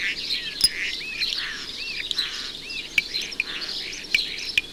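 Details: A Common Starling sings and rattles its bill on a house chimney pot in a suburban garden area. It gives a busy, rambling jumble of slurred, arching whistles, sharp clicks and rattles, with imitations of other birds woven in.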